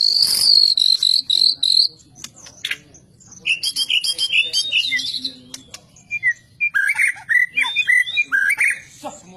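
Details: Fighter-style white-rumped shama, prized for its unique voice and varied fighting styles, opening with a loud high buzzy note, then a busy stream of chattering trills, chips and descending whistles.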